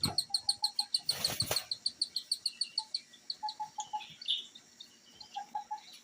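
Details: Tiny cockatiel chicks in a cage beg with rapid, high, raspy chirps about three times a second as their mother feeds them beak to beak while the father stands guard.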